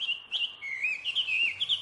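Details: Laughingthrush (Garrulax, called wambi) from Indonesia, a brownish-grey bird with a white eyebrow, gives a loud, varied song of clear whistled phrases sliding up and down in a high register with brief pauses between notes.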